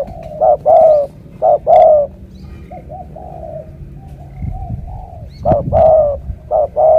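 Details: Spotted dove from Cà Mau in 'thổ cọp' style, giving strong deep coos on a morning outing: bursts of short and longer hollow notes, a softer murmuring stretch in the middle, then loud coos again, with faint rustling.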